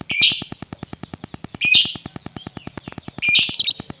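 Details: Lovebird sound meant to rile other lovebirds: three harsh, high, piercing shrieks about 1.5 seconds apart, each a burst lasting under half a second. A fast, even mechanical ticking continues in the background.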